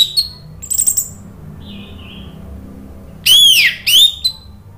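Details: Orange-headed thrush (anis merah) song used as a lure for a bird that has stopped singing. A few faint high notes and a soft warble are followed by two loud arched whistles near the end.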